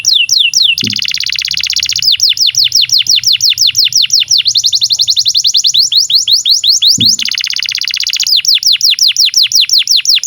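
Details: Long canary song used to teach young canaries and silent canaries to sing: alternating tours of buzzy rapid trills and series of sharply falling whistled notes, with a brief low knock twice.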